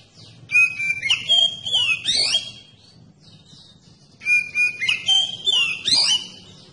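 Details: Oriental magpie-robin lure song for setting off other magpie-robins: two matching bright phrases of sustained whistles, swooping slurs and fast chattering notes, with a short pause between them.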